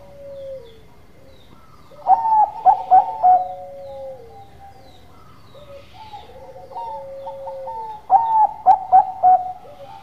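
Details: Singing zebra dove of the Bangkok type gives a falling coo, then two bursts of loud, rapid, ringing staccato coos about six seconds apart, joined by softer trilled and gliding notes.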